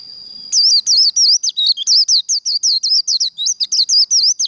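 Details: Training recording of Japanese white-eye contest líu song, a faint continuous high tone, then a brisk, loud series of about twenty-five high, looping, slurred whistles packed tightly together.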